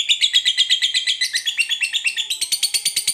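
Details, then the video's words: Fighter lovebird in long ngekek trill, a fast run of shrill, scratchy chirps delivered in an unbroken rhythmic stream, rising in pitch partway through, with faint low tapping underneath. "SUARA BURUNG LOVEBIRD NGEKEK PANJANG NGOTOT TAMPIL FIGHTER"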